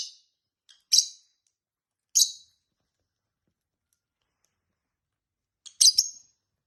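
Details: Two tame pet lovebirds, a peach-faced and a hybrid, chatting indoors: scattered sharp, high chirps and clicks, four short bursts spread over several seconds of near silence.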